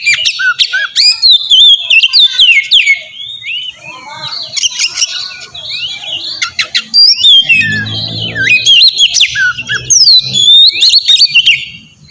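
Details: Oriental magpie-robin song played as a lure to draw an answer, a long varied run of whistles, trills and buzzy chatter, with a faint low hum partway through.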